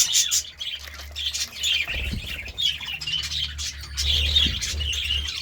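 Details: Budgies twittering in the morning with bright, high chirps and warbled phrases in quick bursts, some pauses between, and a faint low hum in the background.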